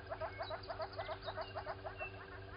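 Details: At a waterhole in Djuma Game Reserve, Sabi Sand Wildtuin, South Africa, a southern red-billed hornbill walks about at 07:53, 16 September 2020, giving quick hollow clucks, roughly five each second, with a steady background hum.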